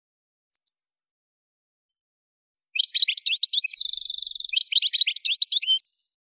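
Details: Algerian goldfinch from the Souk Ahras region, Kef El Hammam, Algeria: a brief double chirp, a pause, then rapid twittering song with a sustained buzzy trill in the middle, all high-pitched and quick.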